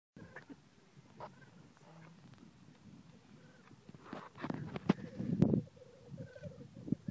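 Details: Black grouse at a lek in Glen Bruar on Atholl Estates, early Sunday morning: low, bubbling, cooing murmurs that run continuously, swelling into louder rough bursts near the end, with brief higher notes scattered above.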